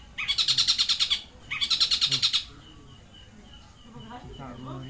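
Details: Long-tailed shrike delivering a song that imitates a tengkek buto: two fast, rattling high-pitched bursts, followed by quieter, softer warbled and twittering notes.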